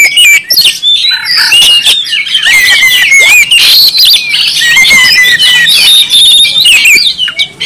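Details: Oriental magpie-robin from Kalimantan in full, persistent song, a loud, continuous run of varied whistles, trills and harsh chattering notes, with sliding phrases changing every second or so.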